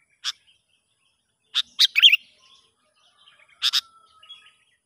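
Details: Sooty-headed bulbul heard in the wild while a young lure bird is tested: a lone sharp chip, then a pair of chips leading into a short rolling, gurgling phrase, and another double chip after a pause.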